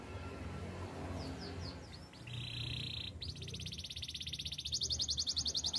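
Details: Belgian canary training song: after faint low background hum, a few quick down-slurred notes lead into a steady high buzzy trill, then a brighter rapid rattling trill that grows louder toward the end.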